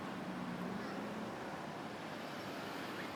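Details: Steady road traffic hums throughout, with a low engine drone and no animal calls.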